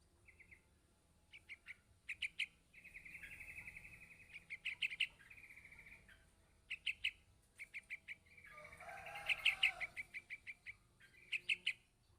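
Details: A yellow-vented bulbul chick begs its parent with insistent bursts of rapid, shrill chips. The bursts are mixed with drawn-out buzzy trills, repeating steadily over several seconds.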